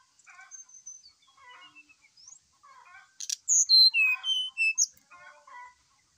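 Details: Brown-chested jungle flycatcher singing hard in the morning, used to prompt another bird to sing: a thin high whistle and soft chatter, then a loud run of bright whistled notes dropping and rising.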